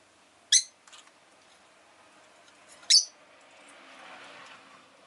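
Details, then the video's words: Rosy-faced lovebird letting out two sharp, shrill single chirps a couple of seconds apart over a low background hum, followed by a soft rushing sound like passing city traffic. "Lovebird Chirping Sounds"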